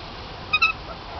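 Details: Parrot call from birds kept in an aviary: a short double squawk, two quick harsh notes with strong upper harmonics over low steady background hiss.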